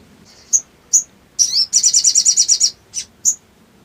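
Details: Crimson sunbird singing as an emotional trigger for other birds; sharp high chips, a buzzy slurred note, a fast even high trill of about ten pulses, then more single chips.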